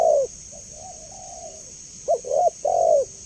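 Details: A spotted dove's clear call used to draw a response: a firm low coo, a pause filled with soft murmuring notes, then a quick double hoot and a long falling coo, with a steady shrill hum behind.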